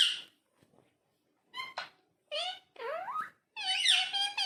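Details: A parrot talking indoors: a sharp opening squawk, a pause, then wavering, voice-like phrases with sliding pitch, ending in a long harsh, layered utterance.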